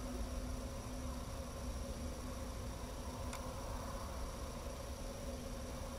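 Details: Steady low rumble like distant traffic or machinery, with constant humming tones and a single brief click midway; no animal voices.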